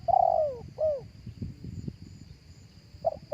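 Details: Spotted dove calling live, for use as a speaker lure for other doves: a long falling coo and a shorter downslurred one open the phrase, then low rustling, then the first clipped notes of the next phrase.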